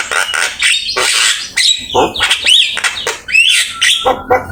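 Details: Javan myna in full, busy song used as a tutor recording for training other birds: a rapid run of harsh, scratchy squawks and chattering bursts broken by short clear whistled notes and upslurred phrases, with brief gaps between phrases.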